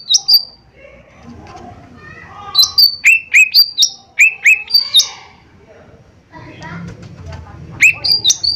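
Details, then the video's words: Gacor lesser green leafbird as a lure call. Crisp repeated chirps and downslurred whistles in quick succession, a pause, then more chirps over a faint rustle. "Cucak Ijo Mini Gacor 💯 Pancingan Paling Cepat Bunyi/Respon"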